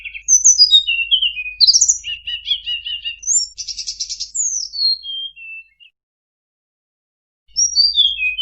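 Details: Sunda robin singing a full varied song for cage-bird training: falling chirp series, a rattling stuttered passage, a dense buzzy trill and descending whistles, followed by a long silence and a final falling run.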